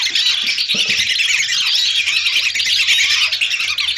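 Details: Hundreds of lesser whistling ducks calling together, a recording made as a hunting lure. A dense, continuous wash of overlapping high whistles with no clear gaps.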